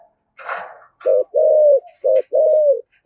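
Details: Decoy spotted dove in "giọng thổ" voice: a short coo, a long drawn coo, then another short-and-long pair. All are low and steady, after a brief rustling noise at the start.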